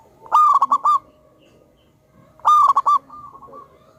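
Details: Big-voiced local zebra dove used as a singing lure delivers two matching loud phrases about two seconds apart, each a ringing coo trailing into three short stuttered notes, over a quiet low rumble.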